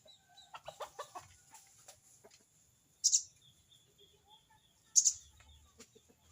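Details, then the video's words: Crested jay (sogon) giving its 'crecet cerecet' call to a rival: two loud, harsh, high rattling bursts about two seconds apart, with softer clucking notes and a faint steady high whine behind. "burung sogon bunyi crecet cerecet!!sogon manggil lawan!!"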